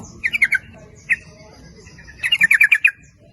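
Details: Sooty-headed bulbul lure song drawing males and females, in the 'nguplik ropel' style: a short run of four bubbly notes, a single note, then a longer rapid burst of about seven notes.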